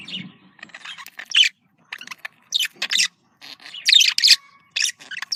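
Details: Domestic budgerigars, female and male, recorded to stimulate breeding: scattered squeaky chirps and short squawks in irregular bursts with quiet gaps, plus a few thin whistled tones.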